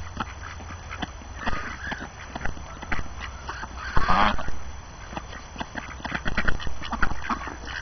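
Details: Ducks on a snowy winter morning, hungry after being shut in, give scattered quacks and honks, with a loud burst around four seconds and clustered calls near the end, amid low background rumbling.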